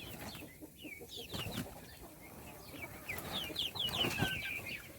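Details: Young chicks at a meal peep sparsely at first, then a brighter run of quick descending cheeps follows, with light tapping noises underneath.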